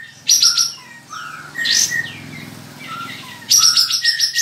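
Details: Contest kapas tembak bulbul, a caged bird from Singkawang in West Kalimantan, gives scattered short whistled notes and slurred phrases, then a sudden rapid run of sharp high chirps; a faint low hum runs underneath.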